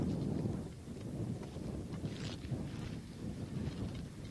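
Heavy wind rumbles and buffets the microphone throughout, with low gusty roar and no animal voice heard.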